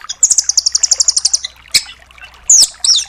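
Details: A velvet-fronted nuthatch delivers a rapid, evenly spaced trill of about fifteen high chips in just over a second, then a lone tick and two loud downslurred squeals.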